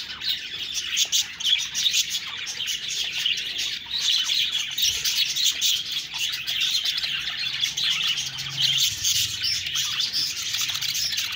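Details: Budgerigars chirp and chatter in a dense high stream, rising slightly in intensity toward the end, with faint low rumbling beneath.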